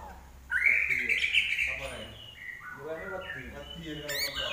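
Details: Common iora in full song, opening with a buzzy rising trill that holds for about a second, followed by lower, softer warbled notes and a brief sharp high click near the end.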